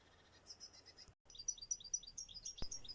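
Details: Eurasian blue tit, a garden bird, singing: quick runs of thin, very high notes, with a brief break and a single click partway through.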